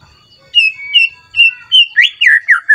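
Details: White-rumped shama roused to sing at a rival: a series of clear, level whistled notes, then a quicker run of louder, swooping phrases.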